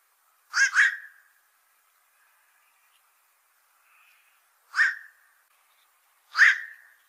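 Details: Black-crowned night heron giving harsh, barking quok calls: a quick doubled bark, then two single barks about four and six seconds later, each a short hoarse burst that fades fast, over a faint steady hum.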